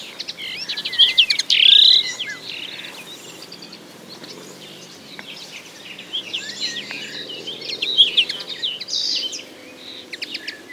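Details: Two bursts of common linnet song: high, jumbled twittering with quick chirps and a brief buzzy trill, separated by a quieter stretch of soft scattered notes over low background noise.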